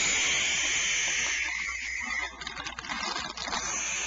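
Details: Owlets, five of them, hiss from inside their nest cavity as a caretaker looks in to count them during an evening supplementary feeding; a steady, breathy, broadband hiss runs throughout with a few soft clicks and rustles.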